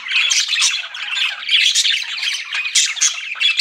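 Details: Continuous scratchy chirping and squawking from pet budgies, a dense overlapping flock chatter without pause.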